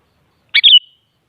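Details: Sooty-headed bulbul (kutilang) song used to prompt a kutilang to reply: one brief, rich, gurgling phrase ending in a smooth descending whistle, with nothing else audible.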